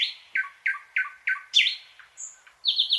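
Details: Thrush nightingale delivering deep repeated chock notes spaced evenly, then a whistled upslur, a high thin note and a fast rattling trill at the end, no other sounds.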